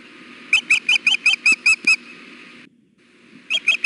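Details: On a 93-degree June day at Hellgate, a nesting female osprey begs to be fed with a string of eight loud, shrill whistled chirps at a steady quick pace, a brief silence, then three more.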